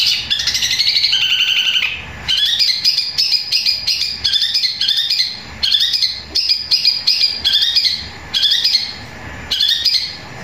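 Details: Long-tailed shrike (cendet) giving a loud, long song that mixes in the sound of fighting sparrows: dense high chattering chirps and squawks in rapid bursts, with short gaps roughly every second.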